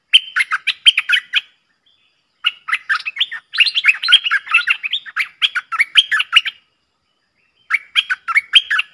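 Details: Streak-eared bulbul pair dueling in song on 30 October 2021, pouring out near-continuous overlapping runs of rapid, bright, bubbly chirps with only brief breaks.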